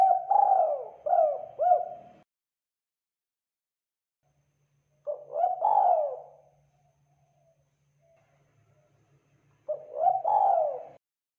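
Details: Local spotted dove calling eagerly as a lure for other doves. It opens with a rapid triple coo, then after long pauses gives two phrases of a clipped note leading into a fuller, falling, purring coo. Otherwise silent.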